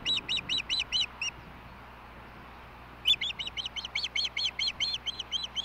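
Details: Osprey calling at the Hellgate nest in Montana, 20 May 2016, late evening feeding; two bursts of shrill repeated chirps, six notes, a pause of nearly two seconds, then a longer string of about fifteen.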